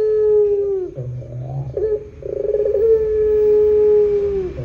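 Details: Barbary dove giving a long, drawn-out 'pelung' coo, used as a lure to set other doves calling: a low grunt, a quick pulsed burst, then a long steady hooting tone that sinks slightly at the end, twice, with faint background hiss.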